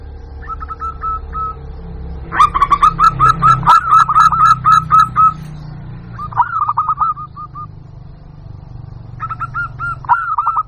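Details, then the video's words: Lure call of a local zebra dove to attract wild birds: soft spaced coos, a loud run of rapid rattling notes, then shorter bursts of clipped cooing, over a steady low hum. "Suara Pikat Burung Jitu Perkutut Jamin Nyaut Kutut Lokal"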